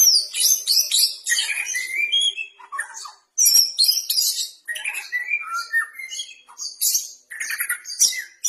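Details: White-rumped shama kept as a cage bird, practising singing: dense, fast-changing medley of whistled and scratchy notes, rising and falling runs, delivered in several long bursts with brief gaps.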